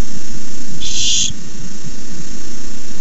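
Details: Barn owl begging at a nest as a rat is delivered, 29 May 2015: one harsh, broadband hissing screech lasting about half a second over a steady low background hum.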